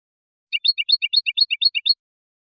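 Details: Steady goldfinch twitter: clustered high chirps repeated evenly, roughly eight per second, for about one and a half seconds, with silence before and after.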